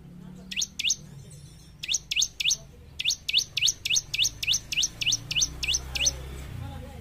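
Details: Bar-winged prinia singing steadily to train caged birds: two and three short chirps, then an unbroken string of ten shrill downslurred notes at an even, quick beat.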